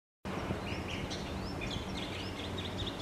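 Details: A group of wild Common waxbills foraging in grass in Hawaii give thin, high chips and twitters in quick succession from several birds at once, over a steady low rumble of background noise.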